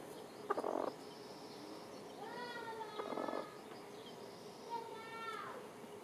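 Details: Chickens, hens and chicks, while dust-bathing; short grating hen clucks alternate with drawn-out, falling, whining calls with strong harmonics, on a quiet background.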